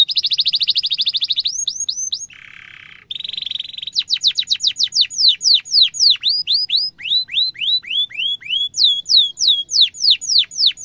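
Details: Canary song in the Indonesian gacor cuit-cuit and ngerol style, used as a lure for young canaries learning to sing. A fast buzzy trill, a lower rasping burst, then a long series of repeated high downward-sweeping whistled notes.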